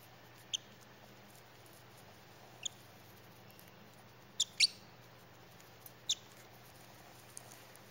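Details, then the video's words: Baby parrotlet, a pet female, eating broccoli and letting out scattered thin, high-pitched single chirps, one quick pair near the middle, with a faint steady hum in the room. "Baby Parrotlet chirping with the joy of having Broccoli"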